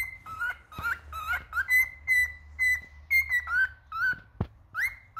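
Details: Male cockatiel singing indoors: a run of clear whistled notes, many flat and held, others sliding up or down, about two a second, with a brief sharp click near the end.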